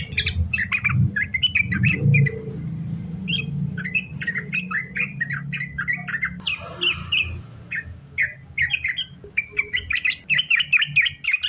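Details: Sooty-headed bulbul singing in a chained 'sambung ropel' style as a lure for other bulbuls; scattered quick chirps and whistles over heavy low humming noise, ending in a brisk run of repeated notes.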